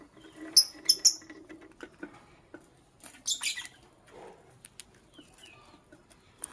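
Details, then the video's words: Lovebird chirping in the morning: a few shrill, high chirps near the start, then scattered clicks, rustles and a brief harsh burst midway. "Sweet Lovebird Sounds - Chirping Sounds"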